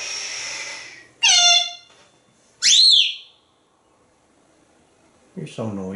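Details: Pet parrot indoors with its owner, giving loud whistled calls: a harmonic downward sweep, then a sharp rising-and-falling whistle about a second later, and after a pause a lower, rougher harmonic call at the end.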